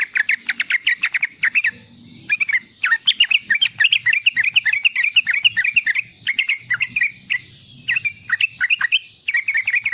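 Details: Riwikan chattering of a young sooty-headed bulbul, played to lure and tutor juvenile bulbuls. Dense trains of quick, bouncy notes come in several bursts with short breaks between them.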